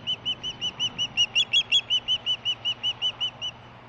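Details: Female osprey, heard close but not seen, chirping as a fish is delivered to her, July 2015; steady run of about eighteen sharp, high chirps, a few doubled notes in the middle, over low hum.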